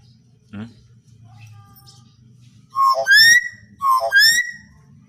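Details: Common hill myna giving natural song, used as a lure to prompt other mynas to sing: after a faint low murmur, two loud, ringing whistled phrases about a second apart, each sliding upward into a clear, sustained whistle.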